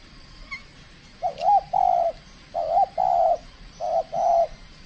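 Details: Aggressive trained spotted dove at its debut cooing contest, Riau Islands, Indonesia: three soft hooting phrases in quick succession, each pairing a short bent note with a longer even coo, low background murmur.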